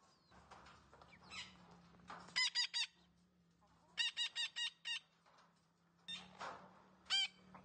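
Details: Green parrot calling in quick runs of four or five bright, ringing notes. Softer scratchy chatter and a low steady hum fill the gaps between runs.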